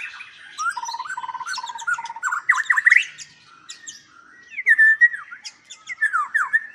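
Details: Captive-bred white-rumped shama at a breeding farm in Palembang, Indonesia: a series of rich down-slurred whistles and quick chattering notes, pausing, then resuming with bright fluty phrases.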